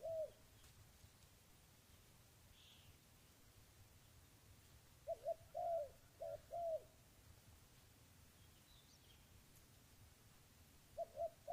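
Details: Spotted dove cooing in short groups of soft, low, hollow notes, two brief clusters separated by long quiet stretches, over a steady low background hiss.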